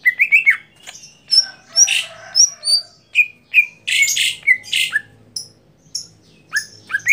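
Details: Greater green leafbird in a song contest, delivering a lively mix of rising and falling whistles, high squeaks and harsh chattered bursts.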